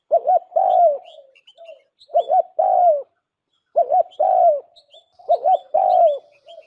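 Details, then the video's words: Four low, hollow cooing phrases from a decoy spotted dove, each made of two short notes and a longer descending coo, spaced about two seconds apart. Soft trailing notes and distant high chirps fill the gaps. "suab nquab lauj kaub tawg quaj zoo dib heev nawb, tiếng cu gái mồi"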